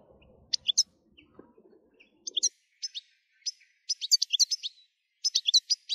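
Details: European goldfinch song used to stir goldfinches into constant singing: short separated bursts of sharp, high chirps and twitters with clean silence between phrases; faint low rumble at the start.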